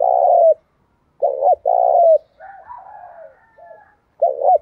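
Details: Thúc gù cooing from a spotted dove used to lure wild ones. Repeated low double-note coos are followed by a softer, wavering stretch of faint higher coos, then the phrase starts again.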